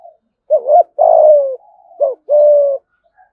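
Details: Spotted dove from Đồng Nai, Vietnam, giving its thúc gù coo in the thổ voice style: two low phrases, each a wavering double note followed by a long, loud, slightly falling coo, with a soft murmured coo between them.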